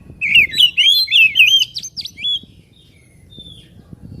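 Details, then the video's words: Song of an Oriental magpie-robin meant to provoke a bird into agitation and tail display; fluid, warbling whistles weaving up and down over about two seconds, followed by faint soft notes and quiet. "PANCINGAN SUARA KACER AGAR CEPAT EMOSI DAN BUKA EKOR"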